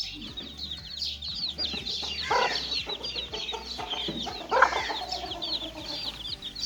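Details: Many young chicks at play, kept in a cage; dense high chirping peeps overlap throughout, with a few louder clucking calls near the middle and a steady low background hum.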